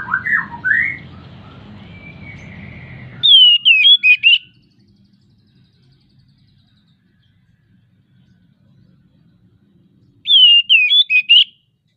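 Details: Breeding-condition Oriental magpie-robin singing as a lure for other birds: low slurred notes over hum, then two identical bursts of loud, sharp, twisting whistles about seven seconds apart, separated by near silence.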